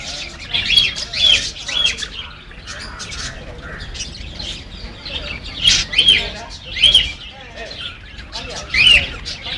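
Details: Baby parakeet calling with repeated bright, rising-and-falling chirps in spaced clusters every second or two, interspersed with softer chattering, captured on a mobile phone.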